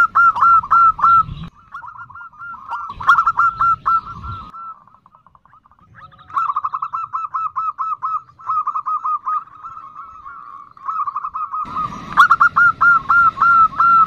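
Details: A female zebra dove gives nutut calls to attract the male. Repeated strings of brisk, hooked coos come in several bouts with quiet gaps, and some bouts are masked by low, rumbling noise.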